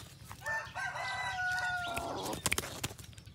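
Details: A pradu-coloured red junglefowl decoy rooster gives one short, clipped crow of under two seconds that ends abruptly, followed by a few sharp taps.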